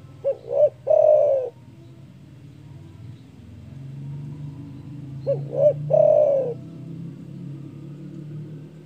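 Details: Frequent, loud-calling spotted dove whose voice is meant to provoke rivals: two bouts of paired short hoots leading into a long mellow coo, separated by about four seconds of low rumbling background.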